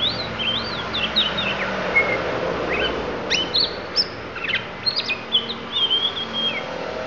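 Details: Isian fill-in song of a Lampung oriental magpie-robin from Indonesia: looping high whistled phrases at first, then quick sharp chips and slurred notes in a busy sequence, with a low hum underneath.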